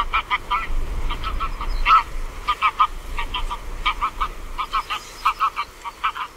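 Greylag geese give a steady series of nasal, honking calls, several birds overlapping in quick bursts, over a low background rumble.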